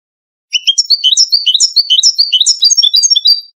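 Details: Moroccan 'wedani' goldfinch song used for tutoring young birds, a continuous three-second run of rapid, tinkling twitters and slurred whistles jumping between high and higher notes, with no other sounds.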